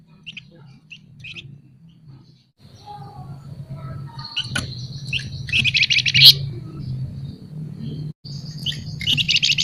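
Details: Scaly-breasted munia in 'nyerecet' chatter, used for tutoring and prompting other birds: scattered thin chips building into loud harsh buzzy rattles in the second half, over a steady low hum.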